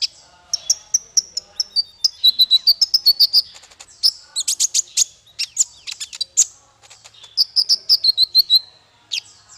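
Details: Singing for training small fighter birds: high, rapid trills of evenly repeated notes, bursts of loud sharp chips, then more fast trilled phrases and a final rising note.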